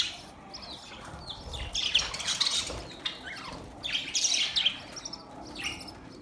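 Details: Budgies chirping together as mating sounds: separate bursts of high scratchy warbling and short down-slurred chirps, several seconds apart, over a quieter background chatter.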